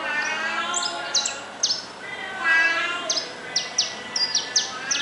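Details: Wild saffron finch singing in nature: sharp high chirps and short downward-slurred notes in scattered bursts, some quickly repeated, over a steady low droning hum with faint harmonic bands.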